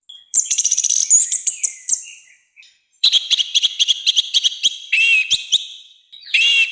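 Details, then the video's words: Orange-headed thrush in full loud song, harsh in tone, played as a tutor and provocation for other birds. It gives long runs of rapid, repeated high chips and twisting whistles, with a short break midway. "ANIS MERAH GACOR NGEPLONG, SUARA KASAR KERAS"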